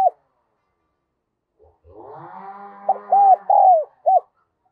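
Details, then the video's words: Caged decoy spotted dove in the Đồng Son voice calling to lure wild doves: a clipped note, a quiet gap, a droning rising background sound, then a phrase of arched coos, a falling slurred coo and a short closing note. "Chim Cu Mồi Giọng Đồng Son gáy Gọi, Kích Bổi Cực Nhạy"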